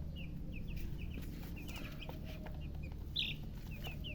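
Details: Young chickens wanting water: sparse, fairly quiet high downward peeps spaced through the recording, one brighter cheep late on, over constant low-frequency noise.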